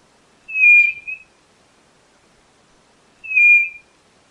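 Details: Two clear whistled notes from a white-bellied nothura, roughly three seconds apart; the first is strong with a brief broken ending, the second shorter and level. Otherwise silent.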